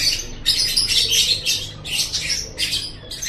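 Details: Lovebird chattering, known as ngekek, played to get pet lovebirds chattering: rapid, raspy, high-pitched squawking bursts in quick succession, loud and continuous for most of the stretch.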